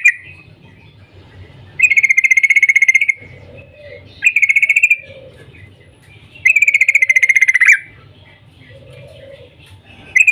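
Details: Yellow-vented bulbul calling in the morning, a call meant to set other bulbuls singing: three loud bursts of rapid, even 'cuk cuk' notes, each burst over a second long, separated by quieter gaps with faint lower sounds.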